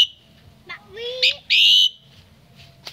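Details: Common myna singing at a family home during Tết (Lunar New Year) 2018: a short rising harmonic chatter, then a loud, steady high whistle held about a third of a second, with a few sharp clicks after.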